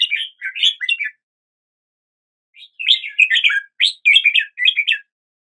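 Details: A red-whiskered bulbul sings at the start of the day: a short warbled phrase, about a second and a half of silence, then a fuller run of quick rolling chirps.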